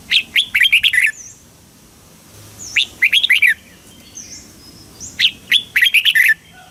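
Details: Red-whiskered bulbul, Thailand, southern master-style song meant to excite birds and teach youngsters; three lively bursts of rapid, bubbling, warbled notes about every two seconds, with faint high whistled notes from other birds between.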